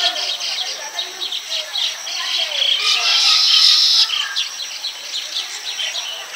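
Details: Baya weavers in village Bengal building nests in tall palm trees and calling to attract females: a continuous wash of shrill, sizzling chatter with rapid repeated chips and lower warbled phrases.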